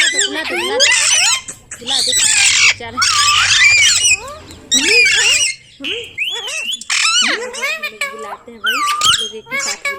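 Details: Indian ringneck parrot chattering and talking, with harsh squawky bursts between high, twisting speech-like syllables and whistles, repeated in clusters over ten seconds.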